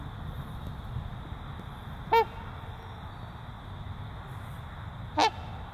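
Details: Two separate honks from a breeding pair of trumpeter swans, about three seconds apart, each short, loud and horn-like with a slight pitch bend, over a quiet low background.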